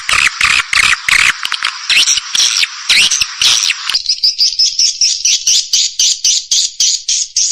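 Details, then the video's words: Swiftlet call and roost lure played in Indonesian swiftlet houses to attract birds: loud dense chattering overlaid with pulses for four seconds, then a clean run of regular high buzzy chirps repeated several times per second. "SUARA PANGGIL DAN INAP BURUNG WALET"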